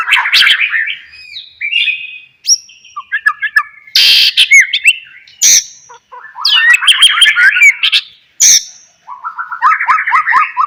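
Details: Lure song of a White-rumped shama meant to set other shamas singing: varied phrases of chattering trills, clear upslurred whistles and sharp clicks, separated by brief pauses, ending in a quick run of repeated downslurred notes.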